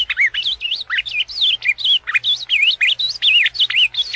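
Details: Ultramarine grosbeak singing in the azulão paraná style: a fast, unbroken run of sweet whistled notes, each slurring down and then up, packed closely together with no pauses.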